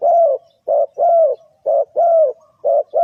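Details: Bird-trapping lure of a spotted dove: loud, low, hollow cooing in alternating short and long notes, repeated about once a second, clean and close.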